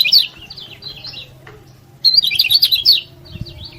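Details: Yellow-bellied prinia singing in full voice, a recording meant to stir rivals and coax lazy birds to sing: two high, rapid twittering bursts of jumbled chirps, separated by a pause of about a second, with faint low background rumble.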